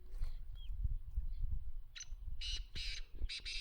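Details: Black francolin (kala teetar) calling amid low rumbling background noise: a thin short whistle early on, then a series of rasping, harsh bursts that grow louder toward the end.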